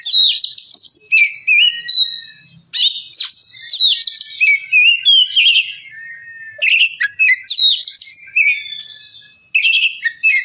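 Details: Lively Oriental magpie-robin song, a lure to set off another bird: fast varied whistled phrases, sharp chirps and trills in rapid bursts, with brief quieter gaps through the recording.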